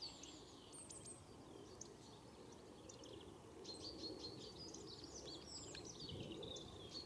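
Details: Bramblings in winter at Harrington Airfield, February 2014, give a busy stream of short, high chirps and nasal notes, overlapping as from a flock, over a steady low rumble of wind or distant traffic.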